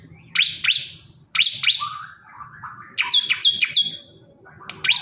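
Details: Calling male bar-winged prinia seeking a female: paired upswept chirps, then a run of steady flat whistled notes, bursts spaced about a second apart.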